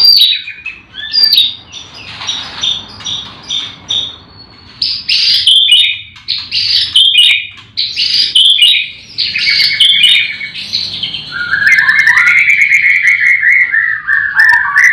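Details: Morning chorus of caged white-rumped shamas at a breeding farm where all the birds sing: dense, varied whistles and chirps in quick bursts, ending in a long, loud, wavering descending whistle.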